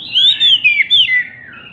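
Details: Oriental magpie-robin, described as agitated and jumping, singing to provoke silent magpie-robins: three loud, ringing whistled slurs in quick succession, trailing into a soft warble.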